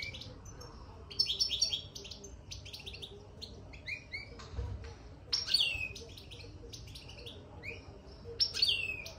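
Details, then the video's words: European goldfinch twittering in its cage, newly placed inside: lively strings of sharp, metallic chirps and rising and falling slurred notes, coming in loud bursts with brief quieter gaps. "بتبتة الحسون من دخل القفص"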